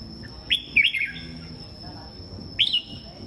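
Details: Red-whiskered bulbuls kept as songbirds, singing in the morning: a short, rich warbled phrase of slurred whistles, then a pause and a second bright phrase, over a steady faint high-pitched tone and low background rumble.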